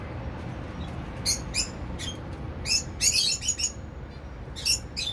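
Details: Zebra finch pairs flying in a mixed outdoor balcony aviary in a Dubai flat; short nasal, buzzy chirps come in irregular bursts, with several calls clustered near the middle and more toward the end, over a low steady background hum.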